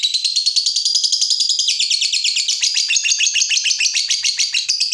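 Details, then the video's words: Caged fighter lovebird worked up at a rival, pouring out a long unbroken high chatter of rapid ticking notes, many per second, steady in loudness throughout. "Terpancing Emosi Begitu Lihat Lawan, Lovebird Fighter ini Langsung Narung"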